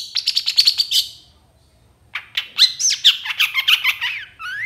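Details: Long-tailed shrike singing a training song packed with imitations: a quick burst of harsh chattering, a second of silence, then a varied run of scratchy notes and slurred whistles ending in a rising whistle.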